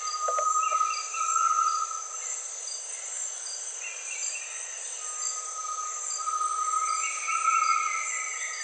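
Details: Great tinamou calling: long, steady pure whistles, several seconds each, the last joined by a higher gliding whistle, all under a dense shrill chorus of insects pulsing throughout.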